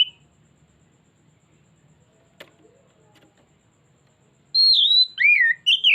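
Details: Oriental magpie-robin lure song, mostly quiet with a few faint clicks, before a loud burst of slurred whistles at the end: a high falling note, a swooping lower one and a twisted closing note.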